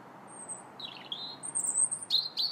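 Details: January robin song: a thin high whistle, then descending warbled notes, followed by sharp high sweeping whistles and quick clipped notes, over low steady background hum.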